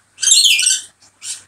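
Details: A male neighbourhood lorikeet perched outside a bathroom window after a spell of heavy rain gives a harsh, shrill screech lasting most of a second, then a brief chirp and a second, shorter screech.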